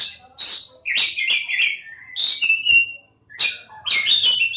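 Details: Javan Oriental magpie-robin (kacer Jawa) from Lebakgowah singing a loud, varied song: rich whistled phrases, long sustained high whistles and rapid chattering notes, delivered in bursts with brief pauses.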